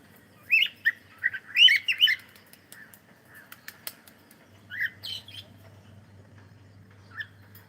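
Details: Cockatiel singing while playing: a quick burst of harsh, bright chirps, then a pause, a second short pair of chirps near five seconds, and one last note near the end.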